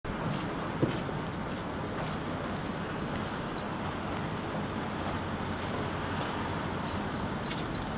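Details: A great tit in Helsinki, Finland in February 2016 sings a monotonous song variant: two short bursts of high, thin two-note phrases, each repeated three or four times, over a steady hiss of falling sleet.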